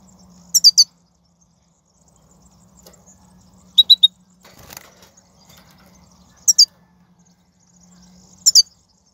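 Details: European goldfinch from the wild, 2019 'bitbita' recording meant to motivate a caged bird to sing: short clusters of two or three sharp, high, tinkling notes repeated every two to three seconds over a faint low hum.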